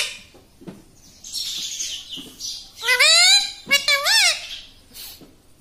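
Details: Pet parrot at home saying "mummy": a soft hiss, then two clear, strongly tonal utterances about a second apart, the second with a rising then falling inflection, ending in a short squeak.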